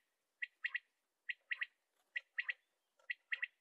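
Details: Common quail calling: three-note phrases, a single sharp note followed by a quick liquid pair, repeated four times about once a second, with no other sounds in the background.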